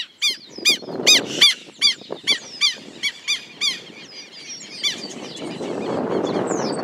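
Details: Southern lapwings, a pair attacking the cameraman, give a run of loud harsh repeated cries, roughly two to three per second, fading into fainter calls as low wind noise rises.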